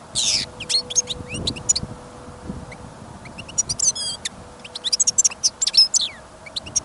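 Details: Caged European goldfinch kept for listening, outdoors during sudden snowfall and wind, singing sharp high chirps and twittering phrases with a buzzy note at the start and a denser run near the end; wind and hum behind.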